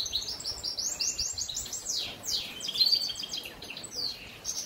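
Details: Goldfinch mule singing on a rainy day: a continuous, energetic song of rapid high chirps, sweeping slurred notes and twittering trills, delivered without a pause for nearly five seconds against faint background noise.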